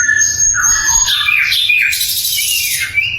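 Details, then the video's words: Sikatan londo flycatcher singing loudly and clearly as a training recording for other songbirds. It gives a rapid, varied stream of high whistles, sliding notes and trills with bright chattering bursts, in a small indoor space. "SIKATAN LONDO GACOR - SUARA LANTANG & SUPER JERNIH"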